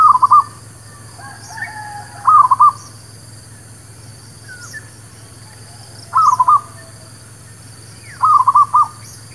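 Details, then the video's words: Village zebra dove song played to attract birds for trapping: four quick, stuttering coo phrases spaced roughly two to four seconds apart, with faint chirps from other birds and a low hum. "SUARA PANCINGAN MERBUK KAMPUNG / PERKUTUT LOKAL...UNTUK PIKAT DAN BURUNG BARU"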